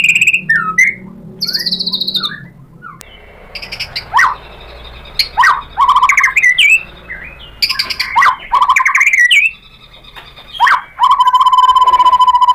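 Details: Provoked white-rumped shama pouring out its learned song material: mixed harsh and whistled phrases, sharp slurred notes separated by short pauses, and a final buzzy trill with a steady lower tone.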